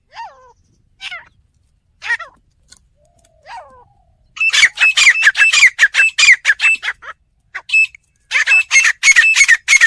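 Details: Faint, thin chirps of another bird open the recording. Then a village fighting partridge bursts into a long, fast series of loud, rasping notes, pauses, and resumes.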